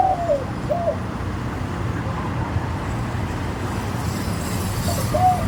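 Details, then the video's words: Spotted dove singing in the Thai khan yon style, with a middle-pitched voice, a single 'kuk' and sweet tone: two short mellow coos open the phrase, and another soft coo follows after a gap, over strong low rumbling background noise. "นกเขาใหญ่ เสียงกลาง ขันโยน ช่องไฟสวยๆ"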